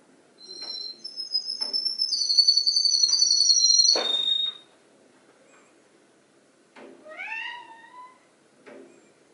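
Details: Canary imitating other birds' songs: a long, steady whistled trill of layered high tones lasting about three seconds, a pause, then a quick series of sharply descending slurred whistles.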